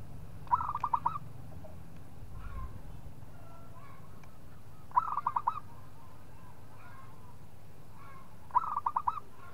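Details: Three evenly spaced phrases from a local zebra dove luring a rival: each is a fast, bubbling string of about five coos, about four seconds apart, with faint softer notes between them and steady low hum.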